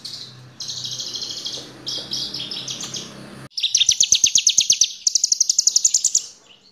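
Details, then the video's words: Horsfield's bush lark, a small bird of 15 to 20 cm, singing as a lure to draw song from other birds: buzzy high trills in short bursts, then a loud fast series of sharp repeated notes. "BRANJANGAN PAS BUAT PANCINGAN 100% LANGSUNG BUNYI"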